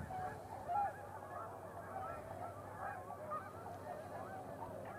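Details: Many tundra swans settling onto a pond in darkness after flying in through twilight; steady overlapping chorus of soft, bugling hoots and honks from numerous birds, no single caller standing out, faint low rumble underneath.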